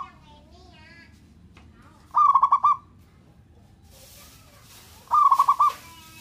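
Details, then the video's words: Local zebra dove calling to provoke rivals' emotion and lust delivers two bursts of fast, evenly pulsed coos, about three seconds apart, in a quiet setting with faint hiss. "Perkutut lokal gacoran SI JAGO mancing emosi dan birahi lawan nya"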